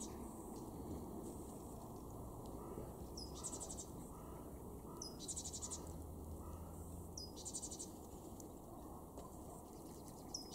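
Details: Great tit in a garden in Weener, East Frisia, northwest Germany, March 2023: short, high, clustered call notes in bursts about every two seconds over a steady low rumble of wind or distant traffic.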